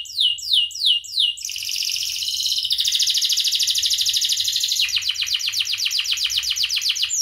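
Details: Lively canary singing as a training recording for tutoring other birds: a few quick downslurred whistles, then a long high buzzy trill shifting into a rapid rolling pulse series.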